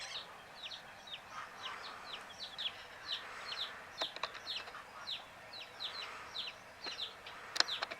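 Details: Many drowsy chicks chirp in a dense chorus of short high falling notes, with scattered sharp clicks and taps throughout.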